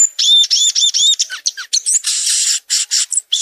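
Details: Violaceous euphonia singing: a fast run of high, arched whistled notes repeated in quick succession, then breaking into dense buzzy, scratchy phrases and a few sharp chips toward the end.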